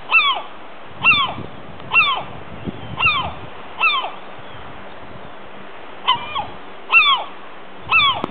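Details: Gull in Andenes, Northern Norway, repeating loud downslurred mewing cries about once per second, some notes doubled, against constant broadband background noise with low rumbles.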